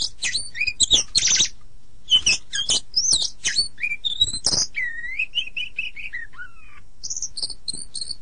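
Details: Kacer, the oriental magpie-robin, in a master recording meant for morning or evening training of songbirds: rapid mixed chips and harsh buzzy notes, then a series of repeated curved whistles stepping downward, ending in high thin notes.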